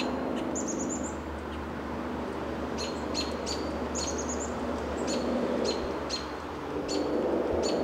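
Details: American robin giving contact calls at dusk while perched on a lichen-covered Coast Live Oak in Del Monte Forest, California, March 2024; sharp, high, clicky chips come irregularly, mixed with brief thin trilled notes over a steady low background rumble.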